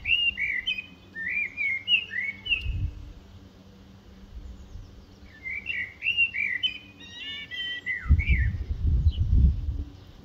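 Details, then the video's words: Eurasian blackbird delivering two rich, warbled whistle phrases separated by a pause, each ending in a fast squeaky flourish, with low rumbling wind or handling noise near the end. "Eurasian Blackbird song"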